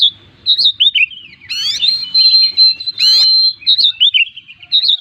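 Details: Kept Oriental magpie-robin in vigorous song packed with mimicry, meant to prompt other birds to sing. It delivers looping high whistled notes, two harsh rapid ascending buzzy sweeps and a sustained clear whistle, all against a near-silent backdrop.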